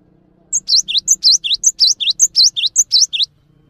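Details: Gelatik batu singing continuously and calmly for masteran: crisp, high three-note phrases repeat without pause, one thin top whistle followed by two dipping, hooked notes, roughly five cycles in an even pulse with a faint hum beneath.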